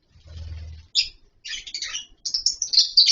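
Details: A low rumbling noise opens, then captive lovebirds in a colony setup give short bursts of shrill chirps that grow into rapid, piercing calls toward the end.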